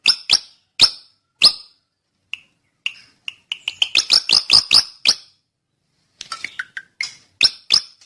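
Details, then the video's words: Drongo song mixing loud sharp chips, softer short whistled notes, a quick burst of clipped calls, and a few varied twittering notes before more sharp chips. "kicau burung srigunting"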